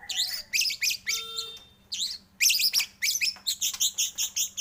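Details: White-rumped shama song from a lure used to stimulate shamas. High, rapid warbled bursts alternate with short pauses and a brief steady tone, ending in evenly spaced bright notes.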